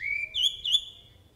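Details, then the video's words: Jalak uret starling giving a short clear whistle that starts low and rises, then two brighter higher notes with harmonics, fading out after about a second. "JALAK URET FULL ISIAN GACOR"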